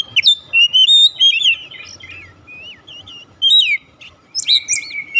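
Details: Oriental magpie-robin singing, played to prompt a quiet bird to start singing: rich whistled notes sliding up and down, short buzzy trills and sharp chirps delivered in quick clusters with brief pauses.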